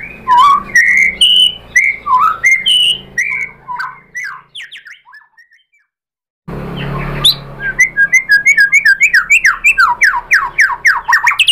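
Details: White-rumped shama song meant to trigger other shamas into singing: varied loud whistles and chattering notes, a silent pause, then a fast series of repeated sharp descending notes.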